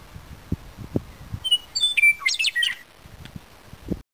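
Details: Western Meadowlark singing on the Indian Memorial at Little Bighorn National Monument: one bright song of about a second, clear fluty whistles running into a quick gurgling jumble, with low wind thumps before and after.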